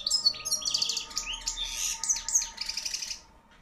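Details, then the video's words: Young hand-reared wild-type European goldfinch, bred in 2013 and the middle bird of several, singing loudly: a fast, liquid jumble of high twittering notes and buzzy trills, continuous for about three seconds, with a faint hum behind. "JILGUERO CANTANDO FUERTE"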